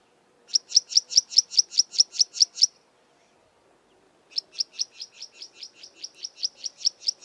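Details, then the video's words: Karoo prinia calling near Kleinpoort, southern Karoo, South Africa: two rapid series of sharp, high, metallic chips, about six or seven per second, separated by a short pause. "Karoo Prinia calling"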